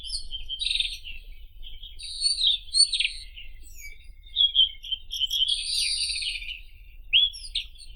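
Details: Varied, rapid song of the white-throated robin: bright whistles, scratchy chatter and short trills in uneven phrases, with low background hum throughout.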